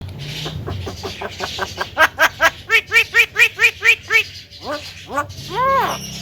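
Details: Javan myna said to talk, with a loud, clear voice: a steady run of about ten nasal, arched harmonic notes, roughly two per second, ending in a few longer downslurred calls.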